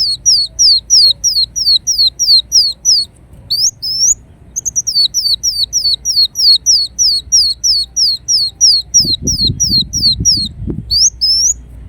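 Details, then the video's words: Ruby-cheeked sunbird, known in Indonesia as kolibri wulung, singing a long run of high, thin notes repeated about three per second, each sliding downward, with a brief break near the middle and a low rumble toward the end. "Kolibri Wulung Gacor Dorr Bocor Corr"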